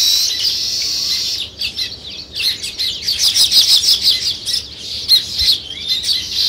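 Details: Sparrows chirping beside nest-building weaver birds: a continuous, crowded chatter of quick high notes, loud at first, then pulsing in rapid irregular bursts.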